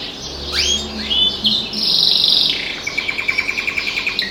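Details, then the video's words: Pet canary singing, with other birds outside the window: a quick run of upswept whistles and buzzy notes, a bright sustained trill, then a fast string of about twelve identical short notes at a steady pace. "singing canary"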